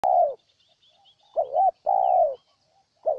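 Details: Spotted dove from Ninh Thuận, Vietnam, giving low, mellow coos: a long slightly falling coo, then a quick two-part hooting note and another long drawn coo. Quiet pauses separate the phrases.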